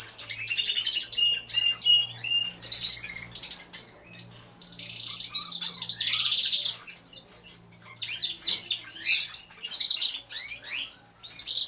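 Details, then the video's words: Canaries all singing in an aviary, real sound from a hidden camera: long rattling trills and clear whistled phrases rise and fall, the dense chorus dipping briefly midway before swelling again, with a faint low hum below. "CANTO DE CANARIOS | AVIARY SOUNDS (SONIDO REAL DE UN AVIARIO DE CANARIOS)"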